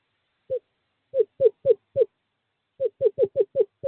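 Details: Male screech owl calling a female to an owl box in courting season, 2/11/2023: mid-pitched, hollow hooting notes, one alone, then a group of four and a quicker run of six, with silence between.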